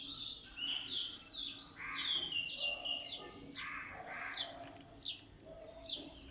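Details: Morning birdsong with several birds chirping together: bright, high, sliding whistles and rapid twitters at first, thinning toward the end into scattered sharp chirps over a soft steady background.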